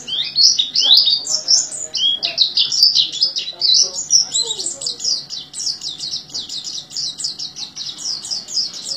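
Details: Oriental white-eye singing "gacor teler", likened to the teler song of the orange-headed thrush: busy high twittering with varied slurred notes, ending in a fast, evenly repeated series of sharp chips.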